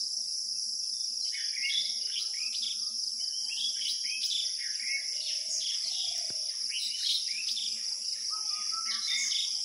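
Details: Birds chirping in scattered short, bright twittering notes and quick slurred whistles, overlapping from several directions, set against a loud, unbroken high-pitched insect drone that runs through the whole recording.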